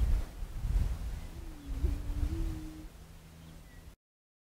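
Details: Prairie chicken producing one low, mellow, steady moan with a quick upward hiccup partway through. A deep constant hum and rumbling low noise run underneath, and a faint chirp sounds near the end.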